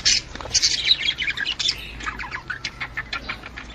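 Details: Budgerigar chatter meant to encourage a female to mate: a loud burst of squeaky chirps at the start, then a run of quicker, thinner clicking twitters fading slightly toward the end.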